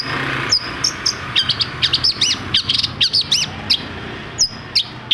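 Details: Long-tailed shrike song played to prompt other shrikes into singing: high arched and downslurred chirps repeated quickly, a few shrill clicks, over steady background hiss.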